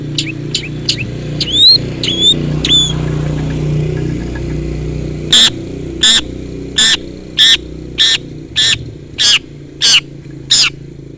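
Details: Rival-calling long-tailed shrike: several thin whistled upslurs first, then a steady run of loud harsh rasps roughly every 0.7 seconds, with a low rumbling background noise throughout.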